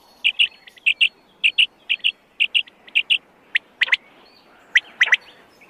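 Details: Wild quail giving an even run of paired short whistles, evenly spaced at about two per second, followed by louder sharp clicks near the end.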